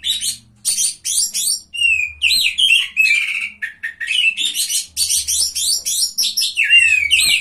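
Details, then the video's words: Oriental magpie-robin in a songbird contest: clear whistled slurs, some rising and falling, interleaved with quick scratchy trills and chips, phrases spaced by short gaps, faint low hum beneath. "KACER GACOR JUARA 3"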